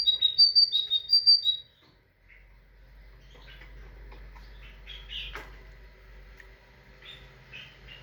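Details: Tit giving a short burst of high, ringing two-note whistles in quick repetition for about a second and a half, followed by quiet with scattered soft chirps and a single sharp click.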